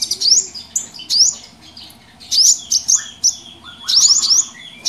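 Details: Small birds in a noisy mixed group for a trapping lure, giving clustered bursts of sharp rising chirps separated by short quieter spells, plus a few lower whistled notes.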